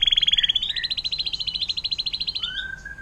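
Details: Canary singing the long 'air mancuran' water-fountain song, used as tutor recording for songbirds: a fast, pulsing high trill of rapid repeated notes, slowly sliding, ending with a softer low whistle.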